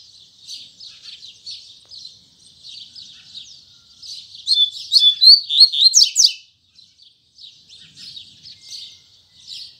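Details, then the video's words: Double-collared seedeater, Tui Tui Zel Zel song in the morning: several seconds of steady soft buzzy chirping, a loud rapid flourish of clear whistles and trills, then a pause and more quiet twittering. "Coleiro Braddock Abrindo Canto Tui Tui Zel Zel Firme Pela Manhã!!!"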